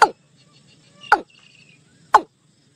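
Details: A watercock gives a flock-gathering call used to lure birds into a net: three sharp, falling notes about one second apart, over faint insect buzzing and a low background hum.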